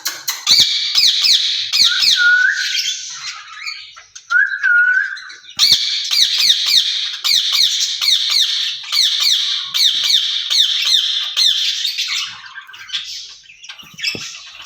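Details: Two caged ringneck parrots talking to each other, said to speak Urdu; dense rapid high chattering with repeated squawky notes and short clear whistled slurs, pausing briefly near the middle before the chatter resumes.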